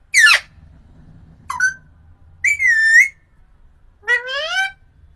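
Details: Pet parrot called mithu imitating household words like mummy and papa, heard as four loud whistled, clipped syllables with rising and bending tones, separated by short pauses; faint low hum beneath.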